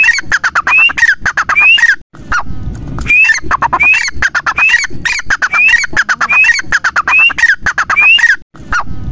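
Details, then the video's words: A partridge calls loudly and harshly, repeating a rapid phrase with a rising whistled note about every second and a half, with brief pauses between bursts. "Teetar ki awaaz"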